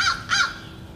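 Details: Feeding crows, rowdy and greedy, give two harsh, raspy caws in rapid succession over a faint low background hum.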